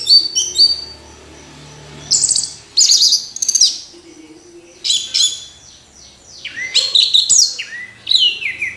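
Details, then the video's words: Orange-headed thrush in full song, bursts of rich, varied high whistles, buzzy trills and downslurred notes delivered in separate phrases with short silent gaps between them. "Anis Merah Kicau Sampai Teler"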